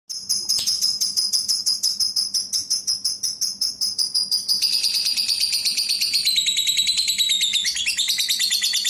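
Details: Lovebird, a fischer's type with a rough voice, calling as a lure for other lovebirds; a fast run of sharp, high chattering notes repeated about three times a second, sliding into a denser, buzzy twittering toward the end.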